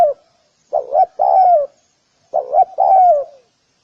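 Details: Spotted dove giving two cooing phrases about 1.6 seconds apart, each a quick double note followed by a drawn-out, downward-sliding coo; otherwise silent.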